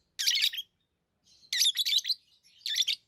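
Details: Tame lovebirds give loud, scratchy high chirps in three bursts, each a rapid run of several rasping notes, with silence between them.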